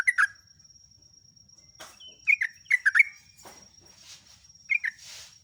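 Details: Song of a sooty-headed bulbul, used to train caged birds: brief, warbled phrases of two or three rich, liquid notes in short bursts, with a constant thin whine and a few soft, hissy noises between phrases.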